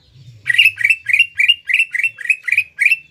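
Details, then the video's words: Greater green leafbird in a cage giving eight harsh, buzzy notes in quick succession, each note slightly rising, over a faint low background hum. "CUCAK IJO GACOR MBESET MEMANCING EMOSI LAWAN AGAR JAMTROK DAN JAMBUL"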